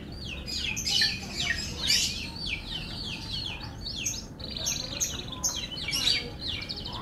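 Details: F1 canary giving bright, rapid song phrases, chattering trills and slurred descending notes packed closely together, loud and high, with faint low hum behind.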